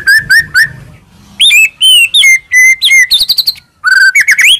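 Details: White-rumped shama tutor song rich in fill-ins: short whistled notes in threes, then loud level and slurred whistles, a quick high chatter, and a final rising phrase.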